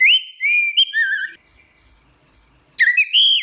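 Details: Clear, fluty whistles from an Orange-headed thrush in teler style: sustained notes that step between pitches and end in a trilled wobble, then silence, then a fresh swooping whistle rising upward.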